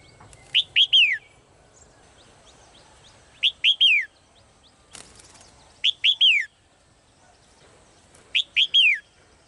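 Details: Female bird in a cage repeating the same three-note whistled phrase four times, roughly every two and a half seconds, each note rising then curving down; one sharp knock midway.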